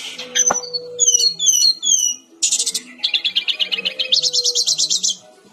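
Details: Brown-chested jungle flycatcher in vigorous song: paired high chirps repeated in a steady pattern, then a buzzy burst and a long, fast pulsing rattle-like trill of high notes.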